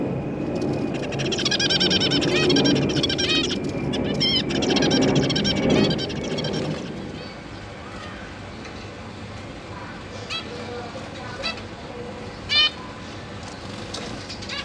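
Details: Newly hatched zebra finch chicks, being fed by their parents, give rapid, buzzy, repeated begging calls for about six seconds, then scattered sharp chirps, over low rumble and handling noise; September 22, 2023.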